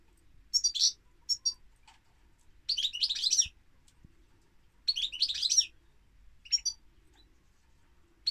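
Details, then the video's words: Song of a European goldfinch, with short high chirps followed by two longer, dense bursts of liquid, buzzy twittering, then more brief tinkling notes between gaps of near silence. "Goldfinch Singing - Cantec de Sticlete - Chardonneret"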